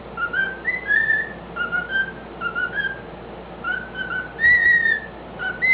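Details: A male pet cockatiel sings a string of clear whistled notes, slurring up and down in short repeated phrases; his owner says it is his own remix of songs, partly the Addams Family tune.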